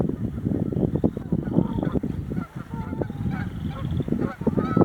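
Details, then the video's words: Canada geese, angry at passing bird watchers, giving repeated nasal honks amid a busy, noisy background with other low sounds and possible voices. "Canadian Geese angry at passing bird watchers!"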